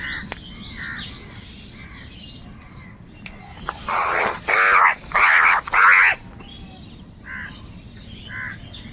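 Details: Crow cawing loudly: four harsh, broad, grating caws in quick succession, each about half a second long, with softer bird chirps before and after and a steady low hum beneath.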